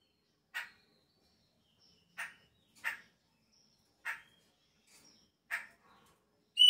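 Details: A chopi blackbird in Brazil at the start of the breeding season, when the birds change their song, gives five short, harsh, sharp notes one to one and a half seconds apart, with faint high thin whistles between them.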